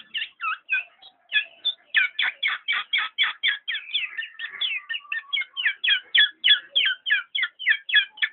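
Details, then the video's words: Black-naped oriole delivering a fast, chattering run of sharp notes, nearly four per second, with a few slurred whistles woven in midway. "burung kepodang"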